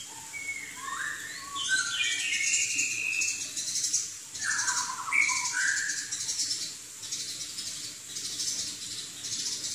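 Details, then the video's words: Chinese hwamei (Garrulax canorus), a bird from southern China, singing a varied run of loud, slurred whistles that rise and fall, with a steady high hiss behind. "Kicau Burung Hwamei Wambi Gacor"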